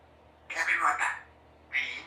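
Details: Female Congo African grey parrot, three years old, kept as a pet in a country home, practising words: two short bursts of speech-like mimicry, the first longer with shifting tones, the second brief, in a quiet room.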